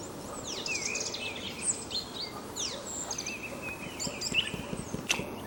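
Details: Song thrush singing in spring from high in an ash tree at the edge of an old oak forest near Sudak, Crimea, marking its territory; clear whistled phrases with fast sweeping notes, over a steady background hiss.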